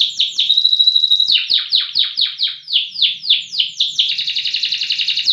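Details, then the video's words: Loper-type canary with strong, sustained song: a pure held whistle, then about a dozen slurred falling notes in steady rhythm, ending in a quick buzzy trill. "KENARI LOPER PRESTASI DURASI VOLUME LAGU MANTAP"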